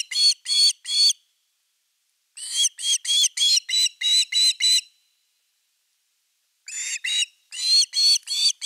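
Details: Osprey at a nest-camera nest in Finland, 30 August 2021, during an evening fish delivery: bursts of sharp, whistled, slightly buzzy notes, about three per second, in runs of three to eight separated by brief pauses.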